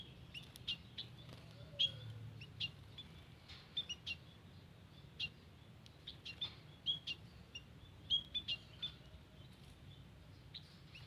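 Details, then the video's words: Garden recording of white-headed munia calls, made for luring birds: repeated short, high, piping chirps, sometimes doubled or tripled, with a faint low rumble underneath. "Suara Asli Emprit Kaji di Kebun"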